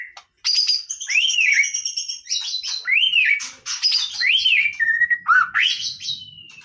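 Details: White-rumped shama in casual song, pouring out loud arched whistles that rise and fall, mixed with high thin notes and rapid buzzy bits, one phrase after another with barely a break, a faint low hum behind.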